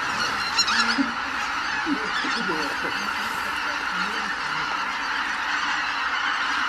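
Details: Leaving the roost, a crowd of greater white-fronted geese makes a constant babble of honks, with a few deeper, nearer calls rising above the background mass in the first half.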